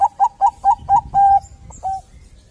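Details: Bangkok zebra dove in lively song meant to prompt other doves to sing: five short coos in rapid rhythm, one long held coo, then two softer trailing notes.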